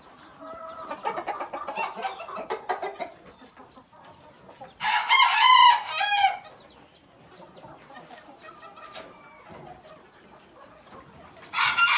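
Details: Black Tailed Red Marans chickens in a pen: soft scattered clucks and murmurs at first, then a loud hoarse rooster crow lasting over a second, quieter clucking after, and the start of another crow at the end.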